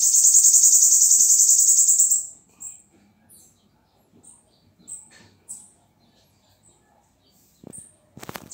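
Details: Bananaquit singing on 21 September 2019: a high, dense buzzy trill for about two seconds. Afterwards come short isolated high chips and a few soft, low knocks.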